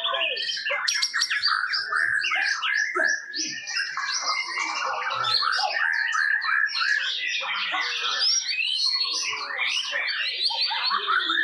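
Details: A White-rumped Shama at a songbird contest from Tasikmalaya sings a loud, unbroken stream of rich whistles, rapid trills and harsh chattering phrases constantly shifting in pitch, with crowd sounds and applause behind.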